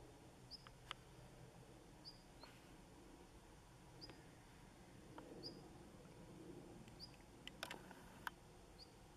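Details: A male Siberian long-tailed rosefinch at Inba Marsh, Japan, in winter on 4 February 2015, his red still pale, gives soft, high, thin call notes about every one and a half seconds over low rumble and clicks.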